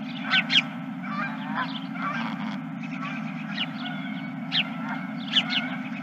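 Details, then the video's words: A flock of geese at a ranch, evening of 31 March 2023 around 21:26. Many overlapping honks and cackles come from several birds at varying distances, with louder bursts near the start and end, over a steady low hum. "Geese and more Geese"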